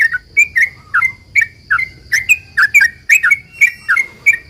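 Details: Sooty-headed bulbul song used as a lure to provoke other bulbuls into replying: rich, bubbly whistled phrases around mid pitch, repeated steadily about twice a second with short gaps, and a faint steady high whine in the background.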